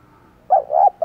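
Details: Spotted dove used as a decoy gives short, mellow, low coos to draw in wild doves: a quick doubled note, then a longer coo starting at the very end.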